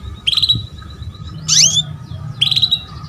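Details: A female canary calling to prompt a young male to sing gives three short bright calls, high chirps with a rising sweep, about one a second, over a faint low hum.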